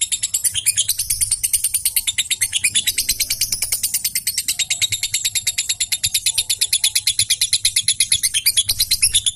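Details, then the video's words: Lovebird of the fighter type in full, sustained chatter: a fast, even string of shrill, scratchy notes, about three per second, continuing without a break through the whole stretch. "Suara Lovebird fighter gacor"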